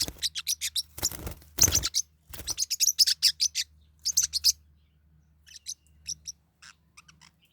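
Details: Fighting Forpus parrotlets kept as pets give fast, steady trains of high, sharp chirps with loud rasping scuffles, then sparse quieter tweets near the end.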